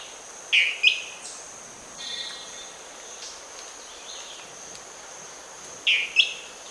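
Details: A dwarf tyrant-manakin in Amazonian rainforest at Tambopata, Madre de Dios, Peru, gives short, bright two-part notes twice about five seconds apart, over a steady high insect hiss and a few faint background calls.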